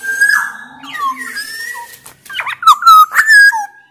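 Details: A Sumbawa black-naped oriole sings loud flute-like phrases meant to stir other orioles into song: drawn-out level whistles give way to a rapid bright cluster of slurred notes with a grating edge.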